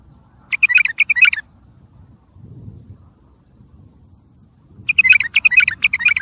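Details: Bulbul song of the tayariyat saihan kind for training and motivating young birds. Two longer runs of quick, rhythmic warbled notes, each under a second, separated by a pause with soft low background noise.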